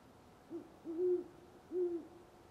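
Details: Deep hooting of a great horned owl at dawn, November 25, 2011, Parker, Colorado; a clipped opening note leads into two sustained, even-pitched hoots with calm surroundings.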